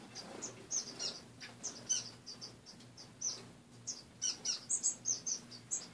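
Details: Caged pet finches chirping after their owner wakes in the morning, cage emptied of most perches; brief high-pitched tweets overlap in scattered clusters, some doubled, over a quiet indoor hum.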